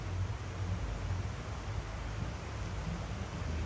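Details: Steady broadband hiss with a heavy low rumble throughout, like wind or distant engine noise, with no animal calls.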